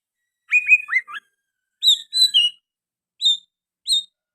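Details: Oriental magpie-robin singing actively, its song filled with sooty-headed bulbul phrases: a quick run of clear, slurred whistles, then paired high whistled notes and two lone piercing whistles spaced under a second apart.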